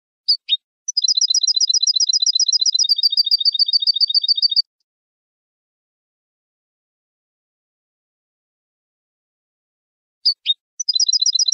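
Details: European goldfinch from Morocco singing a tutoring song for caged goldfinches and hybrids. Two clipped lead-in notes open a rapid two-tone trill lasting about 3.5 seconds. After a long silence, the same phrase begins again.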